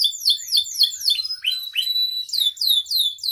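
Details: Canary song meant to train and provoke other canaries: a stream of quick, bright downslurred notes, some lower swooping chirps, a brief steady whistle and renewed rapid slurred notes.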